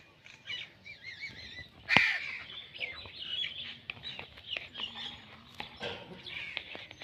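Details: A green Indian ringneck parakeet gives one loud, harsh screech, with softer chattering, wavering whistles and short chirps before and after it.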